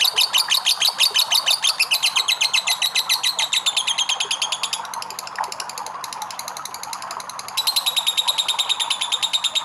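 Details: Long lovebird ngekek: a loud, rapid chatter of piercing notes, dipping quieter for about three seconds midway, then returning at full strength as the fast rattle continues.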